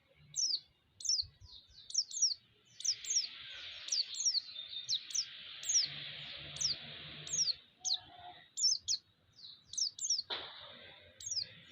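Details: Rapid white-eye chirping used to provoke other white-eyes and heighten their excitement: many sharp, high, falling notes in quick clusters, often in pairs, over a steady hissing background.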